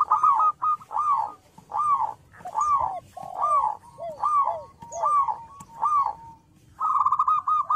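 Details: Local zebra dove (perkutut lokal) in loud, steady song meant to make other doves answer: rolling, trilled cooing phrases repeated about once a second, some ending in lower drooping notes, with short pauses between.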